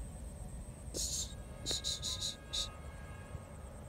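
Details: Eurasian wryneck, able to feign death and imitate a cobra to scare enemies, giving harsh breathy hisses: one longer, a quick run of four short, then a final burst, over a steady high insect-like whine.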